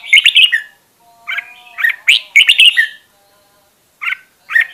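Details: Red-whiskered bulbul decoy bird singing for voice training: a bubbly phrase, a softer pause, another jumbled warbled phrase, then two short clipped whistled notes.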